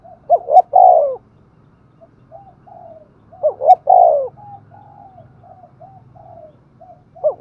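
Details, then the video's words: Spotted dove used as a decoy, calling in the Thúc Gù style to attract wild doves: two strong rolling coo phrases about three seconds apart and the start of a third, over a low steady rumble. "Tiếng chim cu gáy Thúc Gù bài bản rất sung và hay"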